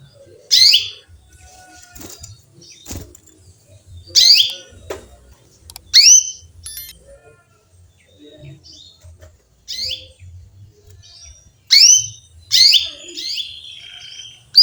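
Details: Female canary chirping to call a male, giving short, sharp, bright notes at irregular intervals of one to three seconds, some doubled, with soft faint sounds between.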